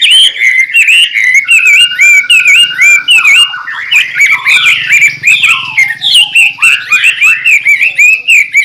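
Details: White-rumped shama song, used as a tutor recording to teach other birds and as a lure to attract them. Loud, rich, fast song of varied whistles, slurred rising and falling notes and sharp chips, delivered in quick continuous phrases without pause.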